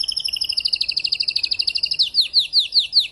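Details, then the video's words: Spanish timbrado canary used as a tutor, gradually unfolding its repertoire after the moult: a rapid high trill changes into slower, distinct downward-slurred chirps repeated about five times. "TIMBRADO RODOS"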